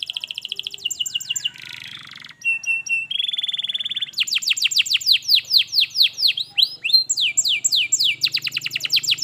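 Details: Canary song played to make a silent canary start singing: rapid trills, a buzzy roll, a steady whirr, then loud sweeping descending notes and fast trills.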